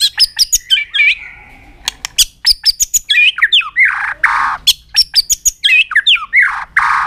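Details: White-rumped shama singing an aggressive display meant to stimulate other birds: loud, clipped high whistles and sharp clicks in rapid bursts, broken by harsh broadband squawks, the pattern repeating twice.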